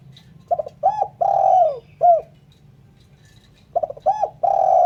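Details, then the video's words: Clean spotted dove cooing used for luring birds: two phrases of mellow, hollow coos, each with quick clipped notes leading into a longer sustained coo that falls away, separated by a pause, over a faint low background hum. "Suara Burung Terkukur/Derkuku bersih cocok untuk PIKAt."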